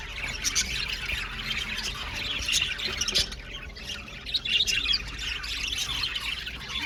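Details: Blue male budgies in an aviary colony give a constant jumble of harsh squawks, chirps and twittering, several birds overlapping, with louder bursts near the middle and end.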